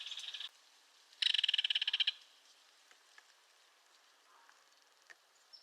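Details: Belted kingfisher rattling: the tail of one harsh rattle opens, then after a pause a second loud run of rapid grating notes lasts nearly a second.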